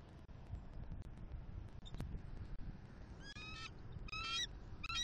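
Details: An eagle pair in Southwest Florida, male with a new female, calling while mating at their nest on 1 October 2023, a morning of nest building. After near-quiet wind hiss, three quick bursts of shrill, stammering piped notes arrive in the final two seconds.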